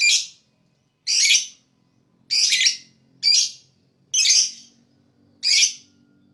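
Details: Harsh, raspy chirps from a lovebird, sound said to attract other birds, given about once a second, each a broad scratchy burst of about half a second.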